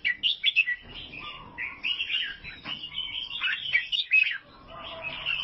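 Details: Chirpy, bubbling song of an albino sooty-headed bulbul in Vietnam: quick clusters of high notes, a few lower drawn-out whistles, and a short lull near the end before the chattering resumes.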